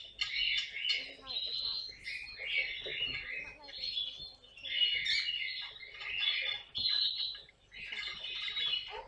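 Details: Household caique parrot during playful moments: bright, buzzy chirps given in clustered phrases about a second long, separated by brief pauses, with faint room noise behind.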